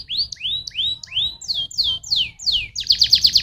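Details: Singing canary, song used to encourage other canaries to sing: a row of rising whistled slurs, then several descending slurs, closing with a quick bright trill of repeated notes.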